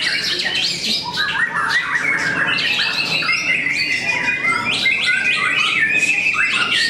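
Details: White-rumped shamas singing against each other at a contest in Cikeas, Indonesia: bright, rapid whistled phrases and sharp chips overlap continuously among several birds.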